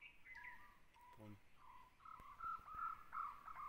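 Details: A Jungle owlet in Tansa Wildlife Sanctuary, Maharashtra, India, gives a run of short, hollow, mid-pitched notes that quicken toward the end, with faint higher chirps from another bird early on.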